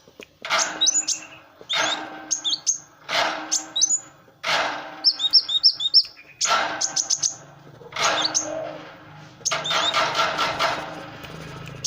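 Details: Kolibri wulung sunbird singing vigorously, recorded as a master song for tutoring other birds: bursts of high, sharp chirps and quick twittered trills in phrases about a second long, separated by short pauses, over a faint low hum.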